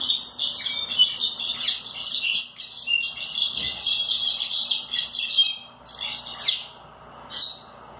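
A Brown-backed Solitaire gives a long, high, tumbling run of fluty, metallic notes that pour out almost without pause, then breaks into shorter bursts near the end.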